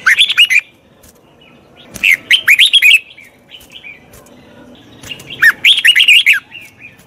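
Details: Red-whiskered bulbul song used to train a wild-caught bird: three bursts of rapid, loud, bubbly whistled phrases, each about a second long and separated by short pauses, with faint background noise.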